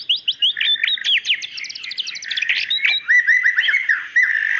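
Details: A female white-rumped shama calls the male with a busy stream of sharp chirps and ticking notes, ending in a series of clear, repeated downslurred whistles.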